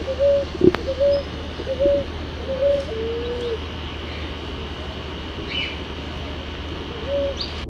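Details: Ruddy ground dove, a native species common in Brazilian cities, giving soft low cooing notes repeated roughly every half second to second, with a steady low hum and faint distant sounds behind.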